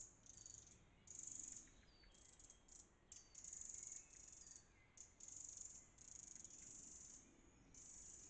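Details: Eurasian wren mobbing a fox near its nest under log roots gives harsh, high, buzzy churring alarm rattles in bursts of half a second to a second, stopping and starting repeatedly against a quiet background.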